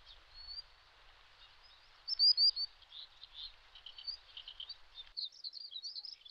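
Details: Common sandpiper parent watching over its active chicks on a riverbed in the Shinetsu region of Japan in late May. High thin whistled notes, a loud burst of three near the middle, then clean repeated whistles, over a steady rushing background.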